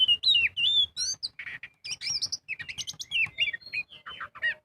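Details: Magpie-robin (kacer) singing 'gacor full ngobra' as a lure for other birds: sweet downslurred whistles, a buzzy burst, then quick jumbled high warbling notes crowded closely together.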